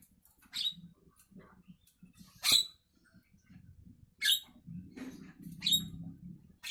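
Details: Morning song of a Javan myna: four sharp, rasping whistled notes spaced about a second or more apart, over soft low murmuring and rumbling background sounds.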